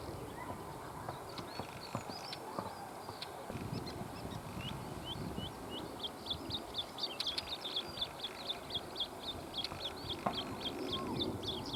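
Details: Bluethroat singing at sunset on a summer day near dachas and ponds in a river floodplain; a rapid run of short, high chirping notes repeated steadily in the second half, over a low rural hum with faint other birds.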